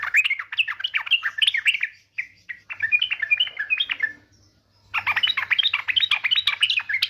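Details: Dense, fast, jumbled chattering and warbling notes from a yellow-vented bulbul lure recording, with a brief pause midway before the chatter resumes.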